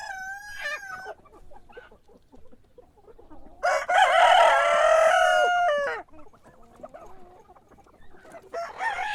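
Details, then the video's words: Morning crowing of a rooster: a short crow at the start, then a long loud two-second crow with rich harmonics, with fainter crowing and clucking around it and another crow beginning at the end. "Sonido de gallo por la mañana // Cock crowing in the morning"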